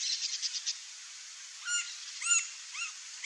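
Green-barred Woodpecker giving four or five separate clear, arched call notes about half a second apart, with a quick run of faint high chirps at the start.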